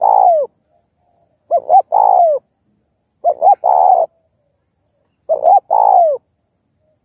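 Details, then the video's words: Spotted dove cooing in styles called thúc, gù and gáy gọi, meant to spur captive doves to call. Repeated phrases roughly every two seconds: two quick hooked notes, then a long coo that sags at the end. "Chim Cu Gáy Kích Bổi Đủ Bài Thúc - Gù - Gáy Gọi"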